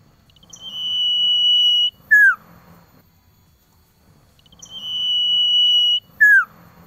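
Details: Male cipoh (Common Iora) calling a female, winter-season lure recording: a long steady high whistle held nearly 1.5 seconds, then a short sharply falling note, the pair given twice with faint low background rumble.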